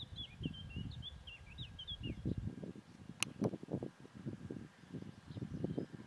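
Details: A stonechat (Saxicola torquatus) at Ljubljana Marsh, Slovenia, on 25 June 2023 gives a quick run of thin, high, scratchy twittering notes for about two seconds over heavy low wind rumble, with a sharp click midway.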